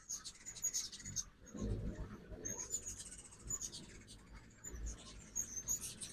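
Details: Ruby-throated hummingbirds visiting a backyard feeder in Oxford, Mississippi, on a fall migration morning; thin, very high squeaky twitters and chips in repeated runs, over a low rumbling background.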